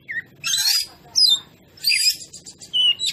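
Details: Oriental magpie-robin (kacer) song used as a lure to provoke other birds; short bursts of harsh, buzzy chatter alternating with brief whistled notes.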